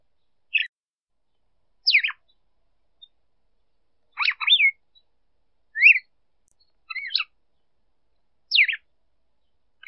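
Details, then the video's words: Red-cowled cardinal female singing to stimulate the male: seven brief bursts of quick slurred whistles and downward-sweeping notes, about every one and a half seconds, some doubled, in a clean, silent background. "Fêmea de galo-de-campina cantando para esquentar macho"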